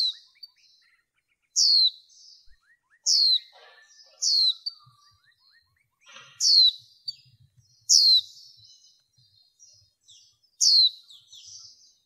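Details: A female white-eye, kept in a cage and used in bird training to stimulate males, repeats piercing high down-slurred chirps, about seven in twelve seconds, sometimes in quick pairs, with faint trailing twitters and cage rustling.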